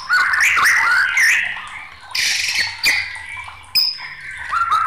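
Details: White-rumped shama singing agitatedly, a dense jumble of slurred whistles and harsh, noisy bursts with brief pauses between phrases.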